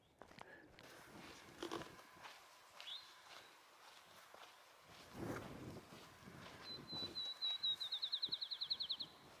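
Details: Field sparrow (Spizella pusilla) song on the Appalachian Trail: a few sweet, high whistles speeding into a quick bouncing trill, over hikers' footsteps and outdoor noise; identified with a bird-ID app.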